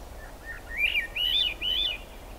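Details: Swainson's thrush singing in the rain at the Squamish River Estuary, 6 July 2022: breathy, flutelike whistled phrases spiralling upward in pitch, three in quick succession, over a soft steady hiss of rain.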